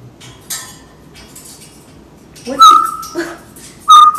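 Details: Indoor pet African grey parrot giving imitated sound effects: quiet rustling, then two loud pure whistled tones, each held briefly and preceded by short squeaky notes.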